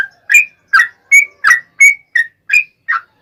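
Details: Rapid-fire 'ropel panjang' singing of a yellow-vented bulbul, meant to provoke other bulbuls into replying: eight clear, rich whistled notes, each falling or sweeping, spaced about every 0.4 seconds against silence.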